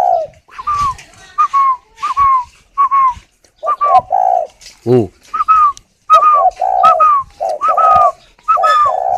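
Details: Caged spotted dove in a bird garden near Ba Vì, Hanoi, Vietnam, cooing while sitting on its eggs: short bursts of low, mellow coos, repeated irregularly, with a sharp click near the middle and a man's voice nearby.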